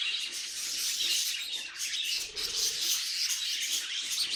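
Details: Pet budgerigar noises, a harsh, scratchy warble laced with bright high chirps, steady except for a short dip midway.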